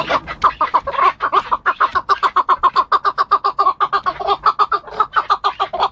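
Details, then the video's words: Chukar partridge calling in a recording used for hunting: a long, steady run of fast, hoarse clucking notes, about three or four every second, each note harsh and mid-pitched, continuing without pause. "keklik sesi صید حجل"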